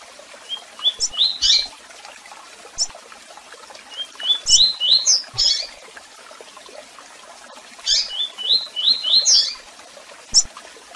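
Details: Double-collared seedeater performing tui-tui song with chirps and calls: three similar phrases, each a quick series of rising whistled slurs ending in buzzy high notes, spaced about three seconds apart.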